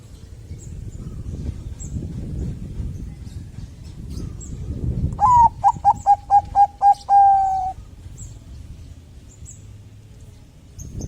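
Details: Zebra dove of the Bangkok type, sung to prompt other doves to sing: after quiet background hiss, a clear burst of soft cooing notes, one longer note then about six short rapid coos ending in a drawn-out coo.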